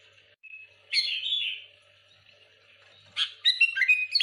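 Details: Energetic sooty-headed bulbul song aimed at rival bulbuls. A thin whistle leads into a rich warbled phrase, and after a pause comes a quick run of chattering, bubbly whistled notes.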